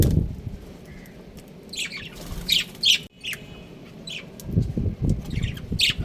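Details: Pet budgerigars, a breeding pair kept at home, give quick high scratchy chirps in scattered clusters over a few seconds, against low-pitched thumping and rustling background noise.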